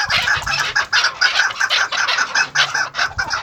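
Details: Chukar partridge breeding pairs of maskati cross on a farm, producing a steady run of short clipped chuck notes at an even quick pace, bright and harsh, plus some low thumps and hum underneath.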